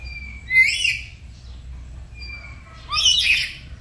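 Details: Home-kept black-capped lory practising gacor song in the morning, in duet: a sharp, raspy screech, a pause with a thin high whistle, then a longer, fuller grating squawk.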